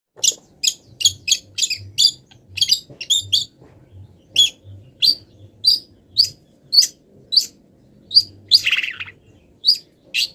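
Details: Long-tailed shrike still moulting, singing a song loaded with mimicked wild bird calls: a series of sharp, high chirps about every half second, broken by one buzzy, harsh note near the end.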